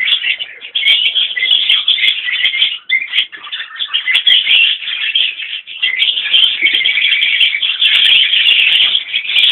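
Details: Mixed colony of Fischer's and rosy-faced lovebirds gathered at fresh water, Fischer's dominant while drinking: continuous dense, shrill chattering and squeaking from many birds at once, with occasional wingbeats.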